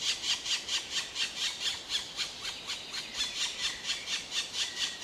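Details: Black woodpecker calling in loud, scratchy, squealing notes repeated evenly about twice a second, each note short and grating, with no other sounds standing out.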